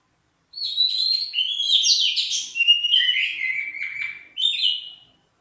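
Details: Oriental magpie-robin in warm-up singing, an unbroken four-second stream of varied whistles, twitters and buzzy trills, the phrases gliding down in pitch, with a final short rising whistle.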